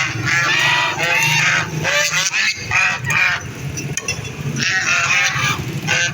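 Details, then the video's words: Several ducks give loud, raspy, overlapping quacks in repeated bursts about once a second, with short pauses between groups. There is a low background hum. "Ducks quack quack"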